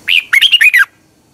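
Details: Red-whiskered bulbul song from Thailand, played to train caged birds: one slurred whistled note, then a quick run of four bright, warbling notes that dip and rise, ending in a falling slur.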